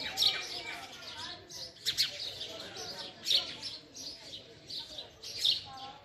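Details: A female house sparrow repeats short, sharp chirps, clusters coming about every one and a half seconds against soft background hiss.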